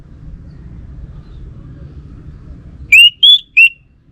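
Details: Orange-headed thrush whistling after a stretch of low background rumble: three bright, clear notes close together, the middle one higher than the other two.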